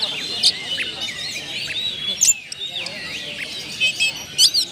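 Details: Caged oriental magpie-robin (kacer) letting out its learned song content as a lure: high, thin whistled phrases with sharp accented chirps near the start, middle and end, over a steady soft warbling and background hiss.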